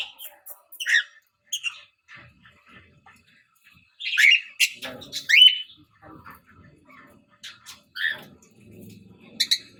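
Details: Chirping from a Fischer's lovebird: scattered shrill chirps and squeaks, louder bursts in the middle, with faint low rustling and soft background noise.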